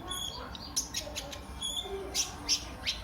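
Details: Energetic brown-throated sunbird (kolibri ninja) used to coax other birds into singing: scattered piercing high chips and short thin whistles, spaced irregularly, against faint low background rumble.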